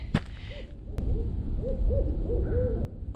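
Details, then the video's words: Barred owls nearby at a campsite in still, quiet woods, possibly a lower-pitched male and a female chatting, give soft, mid-pitched hoots with rising and falling inflections, amid sharp clicks and low outdoor rumble. "oh I hope you can hear that owl"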